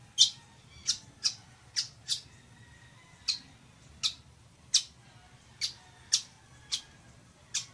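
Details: Village weaver (Ploceus cucullatus) producing a run of about twelve short, rasping squawks, sometimes paired closely and sometimes after longer pauses, with faint low hum behind.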